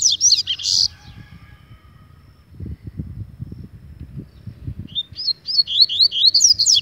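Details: A double-collared seedeater sings in an agitated state, giving a burst of high, buzzy, tumbling notes at the start. After a pause with low thumping background noise, a fast series of short rising whistles follows.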